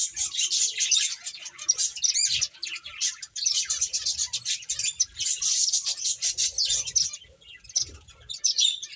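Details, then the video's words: A chorus of playing finches keeps up nonstop high, buzzy chirping in dense runs, thinning to scattered tweets toward the end. "Cute Birds Chirping Sounds | Beautiful Finches Playing"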